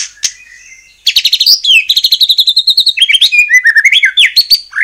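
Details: White-rumped shama in constant song, meant to provoke other shamas to sing. A soft opening note, then a rapid rattling trill followed by varied warbled whistles that rise and drop in pitch.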